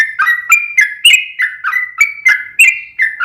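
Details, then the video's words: Sooty-headed bulbul, used as a lure recording, giving a continuous series of bright whistled notes that dip and rise, about three every second. "trucukan gacor ROPEL PANJANG"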